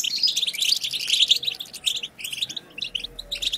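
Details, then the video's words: Stimulating twitter of a European goldfinch: rapid tinkling, high-pitched chirps and short buzzy phrases, slightly thinning in the middle before picking up again. "بتبتة حسون خرافية لن يهدأ حسونك بعد سماعها"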